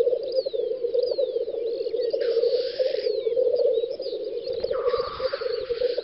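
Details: Several black grouse lek on a spring field in the Volga region of western Russia, May 2019. Continuous low bubbling rookoo, broken by two loud breathy hissing sneezes, with faint high twitters overhead.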